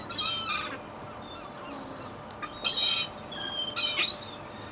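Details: Gulls fed bread from a boat's deck at Fleetwood Docks, sunny day: a few shrill squealing cries, with a louder burst near the middle and quiet hum between.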